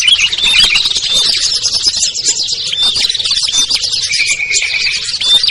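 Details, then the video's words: Small birds calling together as a lure to bring birds down: dense overlapping high-pitched chirping and twittering, short thin whistles scattered through, and one steadier sustained note near the end. "SUARA PIKAT BURUNG KECIL burcil AMPUH"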